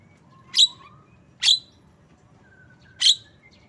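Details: Three separate rasping chirps from a Javan myna, spaced about a second apart, with faint thin whistles drawn out between them and soft background rumble.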